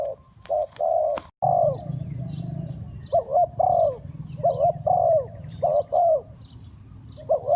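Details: Fast cooing of a spotted dove used to lure birds into a trap: a rapid series of low, slightly wavering coos, some doubled, over a steady low hum, with a sharp knock near the start and faint high twitters.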